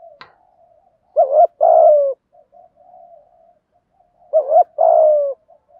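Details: Thổ-voice cooing by male and female spotted doves, meant to excite wild birds: a sharp click, soft low murmurs, then two deep phrases, each a short wobbling coo followed by a sustained, gently falling coo.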